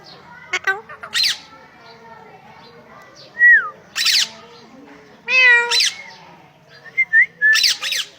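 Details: Parrot on a farm vocalizing with mixed harsh squawks, gliding whistled notes and harmonic, voice-like phrases in short bursts separated by pauses.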